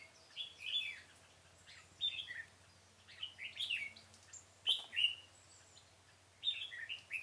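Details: Red-whiskered bulbul serving as a decoy to lure birds for trapping in a pomelo garden, 25 October 2017; clear, bouncy whistled phrases repeated several times with brief pauses, a low steady hum underneath.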